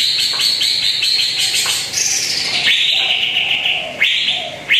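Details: Lure song of a greater green leafbird meant to get a quiet bird singing, with long sweeping whistles that slide downward, plus rapid upward-flicking notes and a dense run of chirps at the start.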